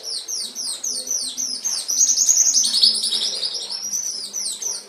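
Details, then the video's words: Canary singing as training material for pet canaries: dense, fast trill of high sweeping notes that swells into a loud, continuous warble, with a faint low hum in the background. "Masteran Suara Burung Kenari 25"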